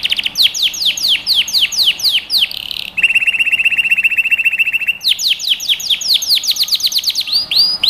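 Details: Canary song as a lesson for young birds: repeated falling whistled sweeps, a long low buzzing trill in the middle, then more rapid downward sweeps and a final rising note.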